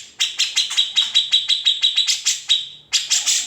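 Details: Grey-cheeked bulbul, called kamandanu or cucak jenggot, in a natural master recording for training songbirds; steady run of crisp high ticking notes, a drawn-out held note near the end, then a loud harsh burst.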